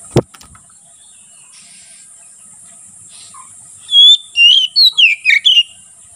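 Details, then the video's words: Oriental magpie-robin singing openly, a song used for training other birds and for luring wild magpie-robins in the forest; a burst of clear, twisting whistled notes and slurred phrases in the last two seconds, after a sharp click and near silence. "BURUNG KACER NGEPLONG SUARA COCOK UNTUK MASTERAN DAN MIKAT KACER DI HUTAN"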